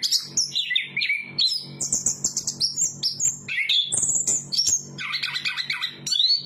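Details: Chestnut-capped thrush in full song, stringing together sharp high whistles, downslurred notes and a dense chattering trill toward the end, nearly without gaps. A soft low hum sits beneath.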